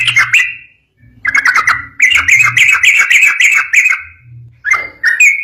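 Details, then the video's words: Long rapid song of a yellow-vented bulbul used to make others answer: harsh, squawky chattering notes run together in fast bursts, with short pauses and a faint low hum. "Masteran burung trucukan gacor ropel bikin nyaut"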